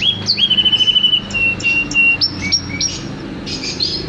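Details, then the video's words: Canary song: a quick rolling trill on one pitch, then a few level whistled notes at two heights with soft background chirping. "Kicau burung kenari gacor"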